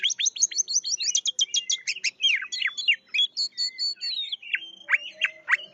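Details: Lively 'gacor' singing of an oriental magpie-robin (kacer): opens with a rapid run of high repeated notes, then loud whistled slurs and scratchy chatter, ending in a few sharp, downward-swept calls spaced apart.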